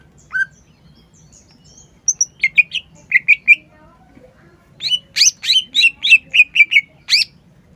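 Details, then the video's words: Green leafbird, known locally as cucak ijo, singing energetically: a lone sharp note, then bursts of quick chirpy, slurred high notes in short runs, ending in a rapid string of loud sweeps. "CUCAK IJO GACOR"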